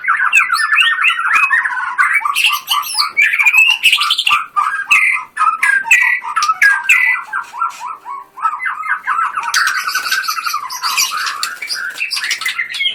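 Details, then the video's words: White-rumped shama, a contest bird singing 'gacor full tembakan' style: a dense, nonstop stream of quick rich warbles and rattling notes, with harsher buzzy bursts near the end. "Murai batu gacor full tembakan"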